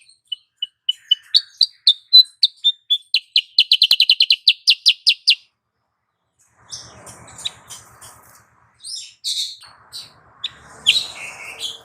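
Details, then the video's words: Lure call of a female sooty-headed bulbul meant to excite males into breeding condition: a quickening run of short, high chirps, then a pause and scattered chirps over a low rumble. "Suara Pikat Burung Kutilang Sutra Betina"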